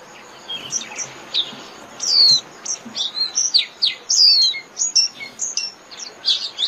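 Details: Japanese white-eye calling the flock, giving scattered high, thin, sliding chirps and short twitters throughout, some overlapping as if from more than one bird, over faint background hiss.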